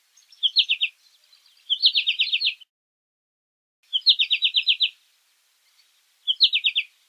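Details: American goldfinch giving four bursts of rapid, high, chip-like notes, each burst of six to eight evenly spaced notes lasting under a second, separated by pauses of one to two seconds; no other sounds.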